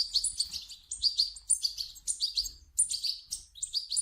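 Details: European goldfinch young begging, a sound used to make an adult goldfinch sing: high, squeaky chirp bursts grouped in short phrases roughly every half second, over a soft low hum.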